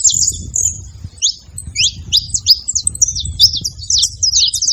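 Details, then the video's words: Several saffron finches singing together: a dense stream of high, sharp chirps and short downslurred notes, overlapping and steady, with soft low rumble underneath. "canário da terra junto fazendo barulho"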